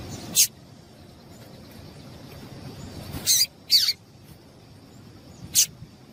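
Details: Female double-collared seedeater calling to stimulate males: a few short, sharp high chips, two of them sweeping downward, spaced irregularly over a faint steady high hiss.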